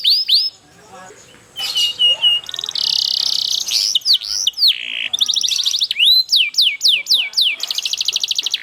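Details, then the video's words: Canary rolling song used to encourage other canaries to answer: high whistles and downswept notes, buzzy sustained tones, then a fast rattling trill and evenly repeated slurred notes. "GACOR ngerol panjang banyak burung kenari cepet ikut gacor dengan suara kenari gacor ngerol panjang"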